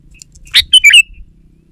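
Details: A single short Sooty-headed bulbul phrase, played to coax hesitant bulbuls into singing: a sharp opening note followed by three quick, bubbly, slightly descending chirps, over a faint low hum.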